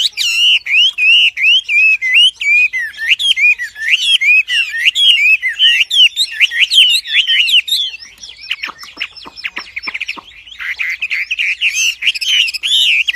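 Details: Energetic wambi song: rapid run of looping whistled notes at about two and a half per second, shifting midway to a series of sharp downward-sweeping chips before returning to fluid warbling.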